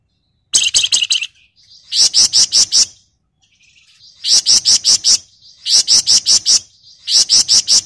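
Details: Flamboyan bird singing loudly in the 'ngebren rapat nyerecet' style: tight bursts of five or six very fast, harsh buzzy notes. Each burst lasts about a second and recurs roughly every second and a half, joined by thin high trills.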